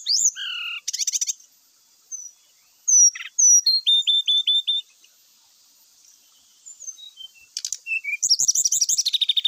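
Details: Brown-chested jungle flycatcher song used to stir other males into fighting and singing their full repertoire: descending whistles and buzzy bursts, a run of five evenly repeated falling notes, then a long rapid rolling trill.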